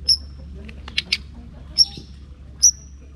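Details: White-rumped shama gives three thin, high, sharp whistled notes about a second apart, with a couple of short chips between, over low hum; played as a lure to provoke a quiet shama into answering.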